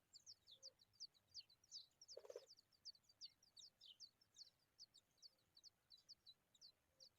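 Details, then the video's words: Hungry familiar chat nestlings begging: rapid, thin, high chirps repeated about three times a second in uneven bursts, with one short dull thump partway through; quiet overall against a faint outdoor background. "Familiar chat bird babies are hungry"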